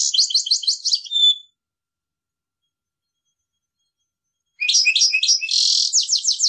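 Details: European goldfinch, a cage bird, singing: a fast rattling twitter, a three-second silence, then another burst of buzzy, jingling trills.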